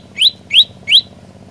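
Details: Three loud, quickly rising chirps from an olive-backed tailorbird in vigorous song, spaced about a third of a second apart.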